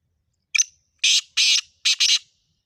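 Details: Black francolin call, played to get a pet francolin calling: one sharp opening note followed by four loud, harsh, grating notes in a quick clipped series, with no other sounds.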